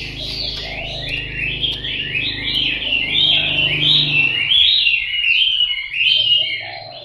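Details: Chinese hwamei, a fighting bird learning to sing, gives a rapid chain of high whistled twitters and slurred notes, with a steady low hum in the background for the first half.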